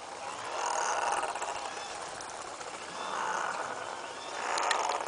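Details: Razorbills pair bonding and posturing, giving deep, rasping growls: three drawn-out groans a second or two apart, over steady rushing wind or sea noise.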